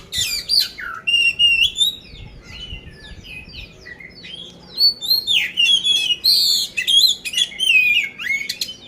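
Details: Competition-ready poci magpie-robin (kacer), Magelang, Central Java, Indonesia, delivering a harsh 'isian kasar' song: strong, rapid strings of piercing whistles, downslurred notes and scratchy chips in separate bursts with short pauses, and faint low noise.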